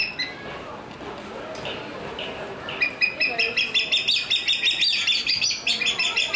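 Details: Crowned hornbill at Ueno Zoological Gardens giving a quick run of high, piping whistled notes, about three a second, after a quieter start with faint murmuring in the background.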